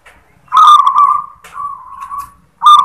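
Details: Zebra dove of a local strain singing the "klar ketek kuk" song: a loud rolling, burry coo, a softer trailing trill, then the next phrase starting.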